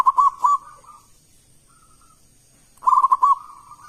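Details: Loud song of a local zebra dove used as a lure for other doves. Two quick phrases of clipped, rolling coos are separated by a short pause filled with a faint purring note; a high whine persists.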